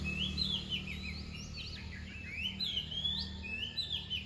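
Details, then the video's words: Continuous whistled and slurred song of an Oriental magpie-robin near dawn, rising and falling phrases in quick succession, partly masked by a strong low droning hum. "เสียงนกกางเขนบ้าน ตอนใกล้รุ่ง"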